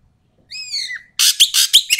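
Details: Asian pied starling used as a lure for reluctant singers. It opens with a drawn-out wavering whistle, then breaks into loud rasping bursts with sharp whistled pips.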